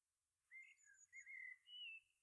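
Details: Eurasian curlew in Ireland whistling three soft rising slurred notes in quick succession over a quiet background hiss.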